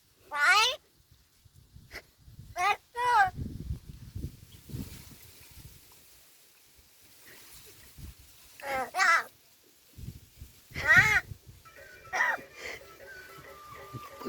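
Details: A talking crow at Gargaon, Palghar, gives short, hoarse, speech-like phrases such as asking whether to go eat, in about six separate bursts, some drawn out and wavering, with people talking quietly in the background.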